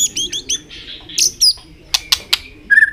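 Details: White-rumped shama singing with tail-flicking: a varied burst of sharp whistled phrases, quick up-slurred notes, clicks and a final warbled flourish, changing pattern every few notes.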